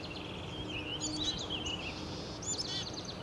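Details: Perched Black-capped chickadee on a public trail in Woodstock, Ontario, giving quick high chirps that run into short buzzy descending notes, two clustered bursts over low ambient noise.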